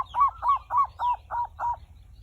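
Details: Zebra dove song used as a lure to prompt other birds to sing: six evenly spaced, soft, hooked cooing notes in a steady row over about two seconds, with low background rumble.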